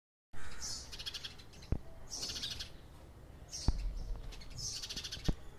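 House sparrows chirp in quick bright bursts, a chattering cluster about every second, over a low background rumble and a few sharp knocks.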